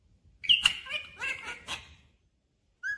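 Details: A talking parrot, said to say 'mummy' and 'papa' in a clear voice, gives a short run of harmonic, voice-like syllables over about a second and a half, then a brief high squeak after a pause.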